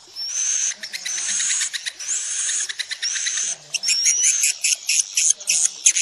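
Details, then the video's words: Calls of swiftlets used to entice the birds to roost in a building: harsh, buzzy rattling phrases overlaid by a high sliding whistle, breaking into choppier, stuttering bursts in the second half. "Suara panggil burung wallet menginap"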